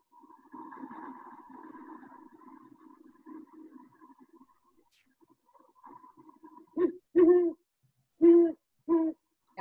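Deep, mellow hoots from a Great Horned Owl, five in a stuttering, uneven rhythm, following a few seconds of faint low murmuring.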